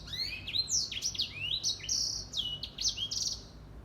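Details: Grey singing finch (Crithagra leucopygia) singing in the morning: a rapid, varied song of high sweeping whistles and buzzy trills, phrases tumbling quickly one after another with no pause; little else heard.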